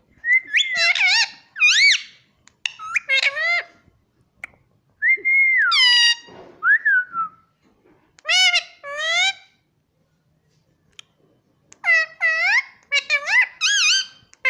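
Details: Indian ringneck parrot, a talking pet taught mummy and papa in Hindi; clusters of shrill, wavering, harmonic syllables and longer whistled notes, repeated in groups with pauses, recorded indoors.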